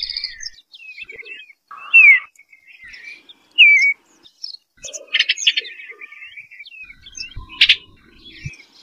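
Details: An Eastern bluebird gives soft falling whistles among faint chattering notes, followed by a burst of rapid warbling and a sharp click near the end.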